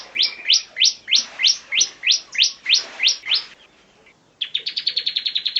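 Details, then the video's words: Bar-winged prinia used as a master song for training birds: a series of about eleven loud, sharply rising whistled notes spaced evenly, then a quick buzzy trill of high notes. "MASTER BIRD CHIRPING BAR-WINGED PRINIA SINGING"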